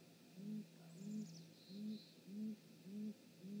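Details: Great grey owl parents visiting the nest, 19 March 2018, 19:32, live nest camera; a run of low, slightly upturned hooting notes about every half second, with a brief high thin chirp from a small bird early on.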